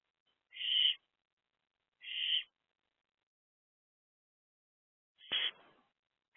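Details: Owlets in a nest box, a trio staying in the box on a morning in April 2024; short rasping hiss-like bursts, about three within six seconds, separated by silence.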